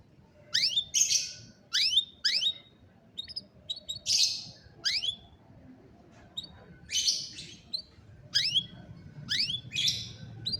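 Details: Canary, recorded on a cellphone as training sound for a lazy canary, giving scattered bright upswept chirps and short buzzy bursts with quiet gaps between, over a faint low hum.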